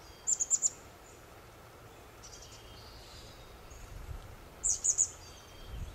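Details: Chestnut-backed chickadee preening and ruffling feathers in the sun; two bursts of three or four rapid, very high, thin chips about four seconds apart, with faint high twitters between and low background rumble.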